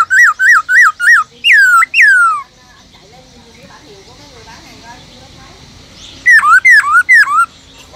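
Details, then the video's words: Caged Black-throated laughingthrush in forest-voice song, used to rouse other laughingthrushes. Five bouncy wavy whistles and two long falling slurs, a quiet gap with faint noise, then three dipping-rising whistles. "Khướu bạc má kích trống căng lửa HÓT GIỌNG RỪNG"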